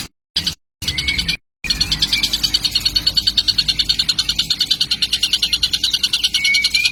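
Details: Juvenile kingfisher, described as a baby already very vocal, recorded as a lure sound; after a few choppy silent gaps, fast regular harsh high chirps pour out about three per second, over a quiet steady low hum.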